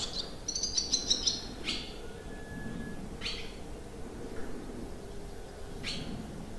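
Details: Barn swallows at a countryside campsite in Limousin, France, on 25 June, give a quick burst of high, chattering twitters over about a second, then several sharp noisy bursts and a brief steady tone against a low background rumble.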